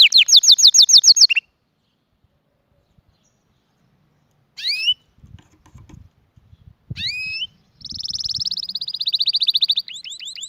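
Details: Canary song in bursts: a fast high trill, then pauses broken by soft low knocks and rustles, short upward whistled notes, and a long buzzy rolling tour ending in quick chirps.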